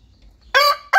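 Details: Indian rooster (galo índio) crows after a quiet start: a loud, harsh, strongly harmonic blare, then a brief drop and the start of another loud note.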